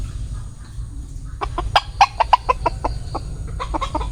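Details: Bantam chicken gives a rapid series of short, sharp clucking notes, irregularly spaced and about three per second, over a low steady hum.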